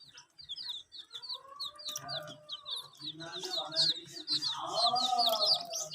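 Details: A group of hen-coloured chicks chirping as they drink, a rapid chain of high down-slurred peeps about four a second, over lower warbling sounds that grow louder toward the end.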